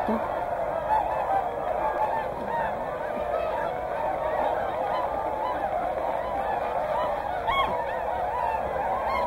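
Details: A large mixed flock of Whooper and Tundra swans at Hyoko in Niigata keeps up a steady wall of overlapping bugling honks, with no pause across the whole stretch.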